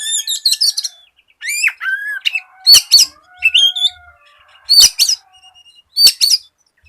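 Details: Oriental magpie-robin in full song, used as a lure to get other magpie-robins singing: bright whistled notes, rapid buzzy trills and sharp high chirps in quick bursts, with short pauses between phrases.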